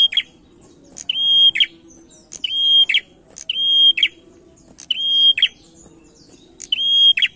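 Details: A male prinia sings as a lure for other birds, giving repeated phrases of a bright sustained whistle ending in dry clicking chips, roughly six phrases, over soft low background rumble.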